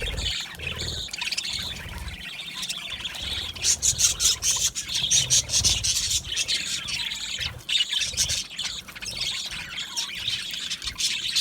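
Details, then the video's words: Australian budgerigars, a colony kept in an aviary, sing a lively, overlapping chatter of rapid chirps and squeaky trills, with loudness rising and falling in waves. "Budgies singing and Chirping Sounds"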